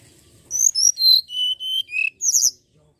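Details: Common iora song for luring birds into singing: a quick series of seven clear whistled notes descending step by step, ending in a higher buzzy flourish; a voice says thank you afterwards.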